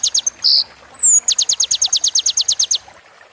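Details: Sunbird singing on a recording meant to train caged birds: a few sharp chips and short buzzes, a thin rising whistle, then a rapid run of about fifteen high, downslurred chirps.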